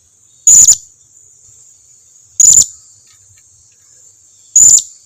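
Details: Blue-crowned hanging parrot calling as a lure so that other hanging parrots answer: three sharp, very high shrill notes spaced roughly two seconds apart, evenly repeated over a quiet background.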